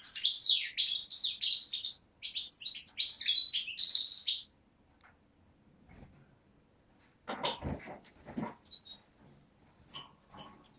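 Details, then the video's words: Young European goldfinch (parva) from Beni Snassen, Morocco–Algeria frontier, recorded 8 January 2012: about four seconds of rapid twittering song, then quiet with scattered clicks and knocks. "chardonneret parva de beni snassen 2011"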